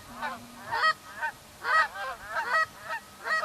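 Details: Wild geese on a cold morning call back to hunters' calls as they fly toward decoys, honking in quick, overlapping, nasal, harsh bursts, about one a second, with several birds calling at once.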